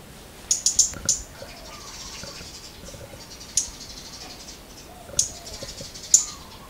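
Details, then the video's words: Scarlet-backed flowerpecker, a tiny city bird: sharp, very high clicking ticks, a quick cluster of four near the start, then single ticks spaced about a second or more apart, over faint background hiss and soft low rustling. "Avis acoustic I Scarlet-backed Flowerpecker-นกสีชมพูสวน"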